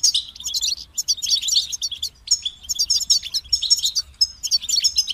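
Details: Kept European goldfinch singing: rapid, liquid twitters and bright tinkling notes mixed with buzzy rattles, delivered in phrases that stop and restart after short gaps; faint low background hum.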